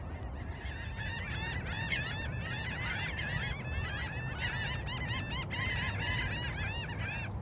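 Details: A flock of laughing gulls at a coastal park in Corpus Christi on the Texas coast calls over and over: overlapping nasal, rising-and-falling yelps in a continuous chorus over low wind or surf rumble.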